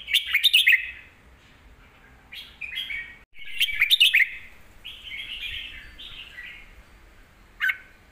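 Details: Caged red-whiskered bulbul song for training young birds, with loud bursts of sharp chattering notes twice, separated by softer warbled phrases, and a final sharp note.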